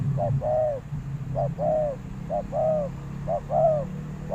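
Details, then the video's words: Spotted dove decoy calling for wild doves: four clear phrases, each a short coo followed by a longer bowed coo, spaced about a second apart over a continuous low humming rumble. "chim cu mồi gáy gọi bổi"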